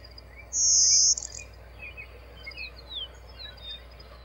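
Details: Blue-winged Warbler gives a single loud, very high, dry buzz lasting about half a second, followed by faint scattered chips and twitters from other birds in the background.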